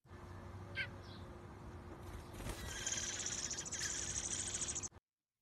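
Song thrush singing: a quick, dense run of high, chattering notes after a brief opening chirp, over a low background hum.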